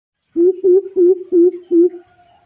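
A coucal gives five deep, hollow hoots in a quick even series, about three per second, each slightly rising then falling, against a quiet background.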